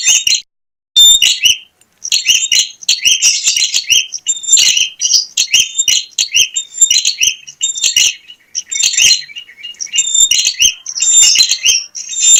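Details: Bar-winged prinia singing vigorously, recorded as a lure for other prinias: high, sharp chirping and squeaky notes in rapid bursts, with brief pauses and a short silent break near the start.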